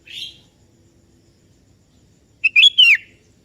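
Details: Sooty-headed bulbul calling a rival, which answers. A single short buzzy chirp is followed, after a pause of about two seconds, by a quick whistled phrase of three notes. The last note swoops down. No other sounds are heard.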